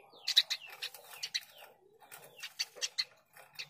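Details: Softer, somewhat blurred Eurasian tree sparrow chirps tumble in quick succession, mixed with short downward slurred notes, in two loose bursts.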